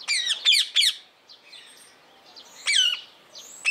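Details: A blue-mutation rose-ringed parakeet at Opole Zoo gives three quick, harsh, screeching calls, then two more after a pause, with softer chatter filling the gaps.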